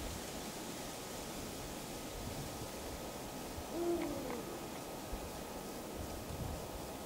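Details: Calling male Eurasian eagle-owl (Bubo bubo) at dusk, 2 March 2010, Falkenberg, Halland, Sweden: a single deep, short hoot once midway, low and soft against a steady hiss of wind or distant surf.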